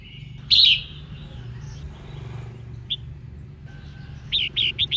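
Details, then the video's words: Female red-whiskered bulbul singing to rouse males into song: one loud, bright warbled phrase near the start, a brief high note later, then a quick run of four short chirps at the end, with steady low hum throughout. "Chim Chào Mào Mái Hót Kích Trống"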